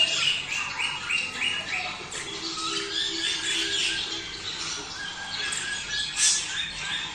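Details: Budgerigars chattering in a mating call intended to motivate breeding: a fast jumble of chirps, squeaks and buzzy warbles from several birds, louder at the start and again near six seconds.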